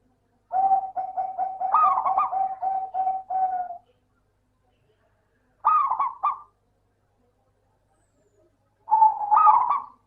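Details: Local zebra dove (Geopelia striata) song: a fast run of soft, rolling coos near one pitch, then two shorter bursts of bubbling, slightly rising notes after pauses.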